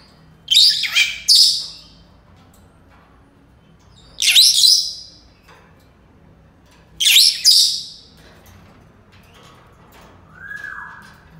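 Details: Senegal parrot repeating loud, rasping high-pitched bursts, three calls spaced about three seconds apart, the first one doubled, followed by a faint low rising whistled note near the end.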